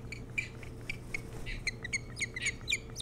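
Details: Osprey at the nest, Hog Island near Bremen, Maine, early on 3 July 2018: irregular high chirps and squeaky whistles scattered through the moment, some overlapping, above a low constant hum.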